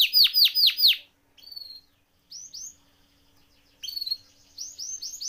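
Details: Canary singing as a training recording: four loud descending whistled notes, then softer scattered short whistles and brief rapid note clusters separated by pauses.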